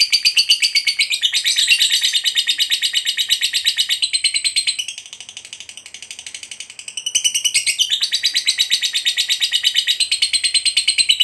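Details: Lovebird fighter's extended ngekek panjang runs for over eleven seconds: dense, piercing, rapidly pulsed chatter that softens and thins midway before surging back loud and rich, keeping a quick pulse throughout.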